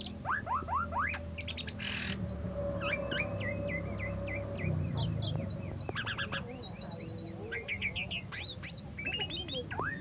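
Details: Asian pied starling, once a first-place winner in a 17 August singing competition, delivering a busy medley of rising whistles, clipped chips and short harsh squawks, with steady low rumble underneath.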